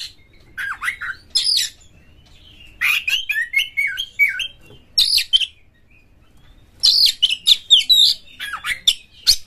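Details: A caged oriental magpie-robin delivering energetic song meant to spur other kacer birds to sing and fight; rich descending whistles mixed with harsh buzzy chatters, in clustered phrases broken by brief silences.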